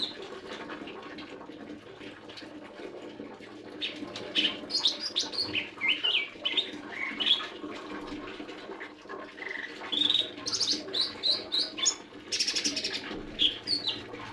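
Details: Lesser green leafbird singing: after a quiet, hum-filled opening, bright varied whistled phrases, slurred up and down, come in quick bursts and grow fuller toward the end, over a steady low background hum.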